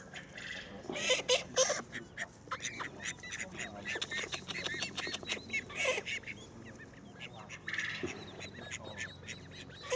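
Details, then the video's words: Call ducks, kept and cherished as beloved birds, giving a busy run of short nasal quacks and honks, many in quick succession, with bursts of louder calling and a low steady hum beneath. "call duck"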